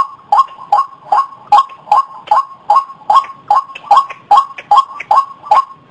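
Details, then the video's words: Regular, evenly spaced nasal croaks from a White-breasted waterhen, about two and a half notes per second, each note sharply rising, over a faint continuous humming tone. "Suara burung ruak ruak"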